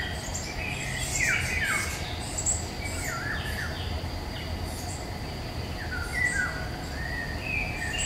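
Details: Eurasian golden oriole singing in woodland in May 2021, filmed with a Nikon Coolpix P1000: fluty whistled phrases with downward slurs come in short spaced groups over a steady low rumble and a constant thin high hiss.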